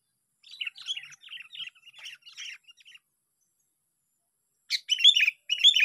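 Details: Sooty-headed bulbul singing during a bird-luring session, bright chirpy warbled phrases in a rapid bubbling run, a short pause, then louder, fuller burst notes near the end.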